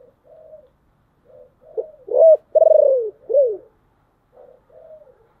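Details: Deep-voiced decoy spotted dove cooing to lure wild birds: soft low coos build into three loud, mellow, down-slurred notes, then fade back into quiet cooing phrases.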